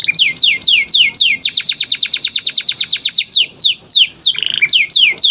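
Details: Canary song used as a training recording to get young canaries singing: rapid repeated downward-sweeping whistled syllables, long fast trills of descending notes with a brief buzzy tone near the end.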